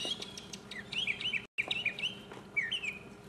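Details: Mockingbird in 2015 singing solo, short curling whistled notes repeated in pairs, with a brief break midway through.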